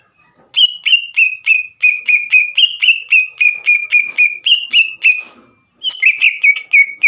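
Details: Green leafbird singing to provoke a rival: long even sequence of clipped whistled notes, each sliding down, repeated about four times a second, broken by a short pause before a faster closing run.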